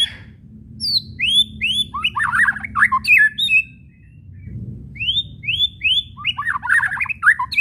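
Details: White-rumped shama kretekan with whistles, meant to stir shamas into song: rapid upslurred whistle notes leading into rough chattering twice, separated by a brief pause with a low muffled thump around 4.5 seconds.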